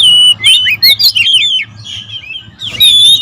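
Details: Oriental magpie-robins singing noisily in a territorial exchange. A quick jumble of whistled slurs and chirps fades into a softer warble, then a clear whistle returns at the end.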